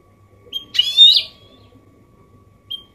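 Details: Goldfinch mule in copia Málaga-style song, used to stimulate males to sing and teach chicks: a thin whistled note, then a loud harsh buzzy burst, and a brief whistle again near the end.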